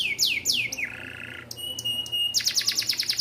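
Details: Canary tutor song for young canaries: two falling sweeps, a low buzzy phrase, sharp clicks over a thin whistle, then a rapid pulsed trill of high notes.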